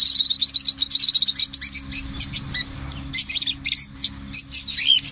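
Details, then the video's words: Parrot chatter made of short, sharp, high chirps and squeaky notes in uneven bursts, some rising or falling, separated by brief pauses, with a faint steady hum underneath. "طوطے کی ویڈیو طوطے کی اواز"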